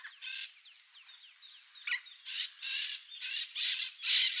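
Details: Peach-fronted parakeets (Eupsittula aurea) give harsh, grating screeches in loose bursts about twice a second, over a steady high hiss and thin chirps from other birds.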